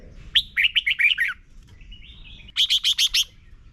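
Red-whiskered bulbul singing bright, chirpy phrases of rapid notes, a short run, a thin rising whistle, then another quick burst of five notes.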